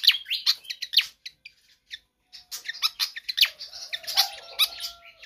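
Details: Lively Pied fantail song meant as a tutor track for other birds. Sharp squeaky notes come in bursts, with a pause near two seconds, then renewed chatter over faint low, steady tones.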